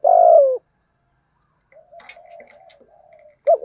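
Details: A spotted dove gives one strong, low, falling coo in the 'thổ' voice used to lure and train doves, followed by soft murmuring with faint high ticks, then another coo begins.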